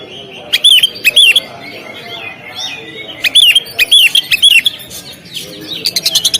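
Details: Contest-stand Oriental magpie-robin repeating clear looping whistled phrases in loud bursts, with softer warbling between and a quick rattling series at the end.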